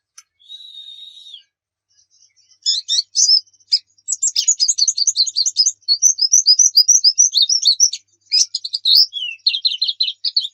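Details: Javan white-eye song for training caged birds: a soft level whistle, then about a hundred rapid high chirps a minute in varied slurred twitters and trills.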